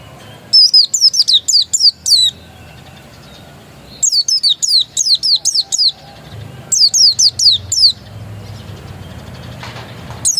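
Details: Untrained dakun Oriental white-eye singing three rapid phrases of thin, high, swooping chirps, each phrase about seven notes long with brief gaps between, over faint low background rumble.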